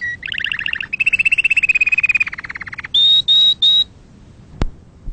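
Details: A canary gives a rapid double-toned trill, then a long rattling roll that coarsens as it falls. Three pure high whistles follow before a short pause and a single sharp click.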